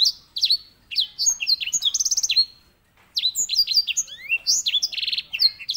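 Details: A canary (Serinus canaria) gives a rolling song of rapid, varied high whistled phrases with buzzy rolling trills, in two bursts separated by a brief pause.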